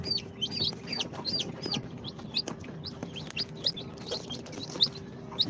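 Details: Day-old-plus chicks from an incubator, Sultan, Golden Sebright, Cochin and booted breeds, giving bright, sharply falling peeps in quick bursts, busiest at the start and then spaced out, with a faint background hum.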